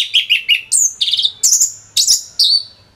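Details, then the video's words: Orange-headed thrush, known locally as anis merah, in rapid song for training songbirds: loud, varied whistled phrases jump from mid to very high pitch, about seven strong notes in three seconds. "ANIS MERAH Gacor Suara Rapet Bagus Untuk Memaster Burung Punglor"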